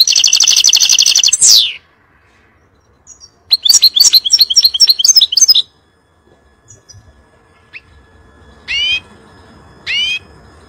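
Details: European goldfinch in 'fire' song meant to tutor young birds: a long nasal buzz ending in a downward slur, a burst of quick high twittering, then two separate rising call notes after a pause.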